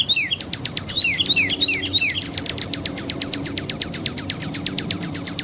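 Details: Red-crested cardinal in nature singing several crisp downward-sweeping whistles in a bouncy rhythm, followed by a long steady train of rapid buzzy ticking pulses that carries on to the end.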